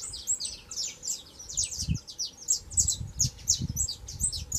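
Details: Saffron finch, a young bird singing a lot, giving a fast stream of sharp high chirps and short twitters about three per second, with occasional low thumps and rumble underneath.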